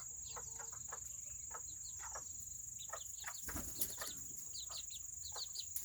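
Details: Seramas, the world's smallest chickens, on a rainy Saturday: scattered high, descending chirps in quick bursts, interrupted by a brief loud rustling clatter midway, over a continuous shrill tone.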